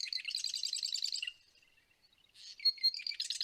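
Marsh Wren song: a fast, dry, buzzy rattle of high notes, then after a pause a few sharp introductory notes leading into another rapid gurgling trill.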